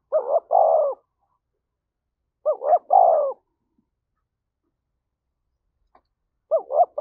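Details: Spotted dove challenge coo made to provoke fighting. Three phrases, each two short upslurred notes and a longer falling coo, are spaced by pauses of about two seconds.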